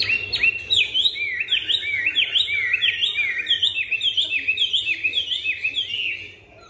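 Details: Chinese hwamei, newly arrived, singing with a smooth, supple voice while turning its rump: rapid loud whistled phrases, each a quick up-and-down swoop, repeated about three times a second in a steady rolling stream.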